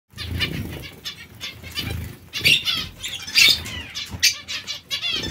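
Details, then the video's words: Colony of zebra finches calling together: short nasal, harmonic-rich notes overlap in irregular bursts, several rising and wavering, over soft low thumps of fluttering wings. "Colonia diamante mandarini"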